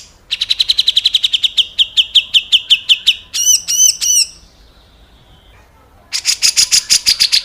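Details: Grey-cheeked bulbul in coarse 'besetan kasar' style, recorded as a master for training cage birds. A fast, slightly slowing series of sharp notes leads into three harsh arched squawks, a pause, then a burst of rasping chatter.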